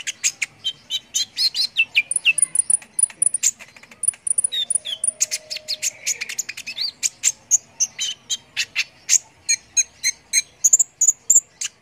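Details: Brown-throated sunbird singing actively for training contest birds: a fast, uneven stream of very high ticking chirps, about three or four a second, mixed with thin whistled trills and a faint lower hum midway.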